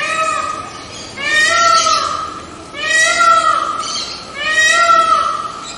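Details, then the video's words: Series of four loud, harmonic, mewing wails from a white peacock, each about a second long and repeated at even intervals of roughly one and a half seconds. "Sound of White Peacock"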